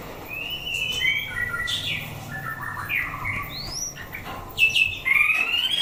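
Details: White-rumped shama in a bird fighting test, kept captive: scattered slurred whistles, some sweeping upward, others dropping, ending in a louder run of high clear notes over faint low hum.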